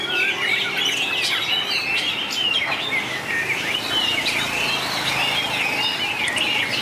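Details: Contest-singing white-rumped shama, 2019, with long voice changes: a flowing string of whistled and warbled notes, punctuated by sharp high clicks and quick descending slurs, over a faint low hum.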